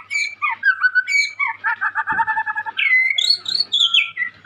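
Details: A young white-rumped shama in full, lively song: rich rolling whistles and slurred notes, a buzzy stuttering passage in the middle, then high sweeping whistled phrases.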